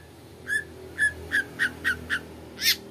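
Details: Long-tailed shrike lure song meant to prompt a listening shrike to sing along: six short, clipped notes near the same pitch, spaced about half a second apart, then a louder, buzzier, broadband note at the end.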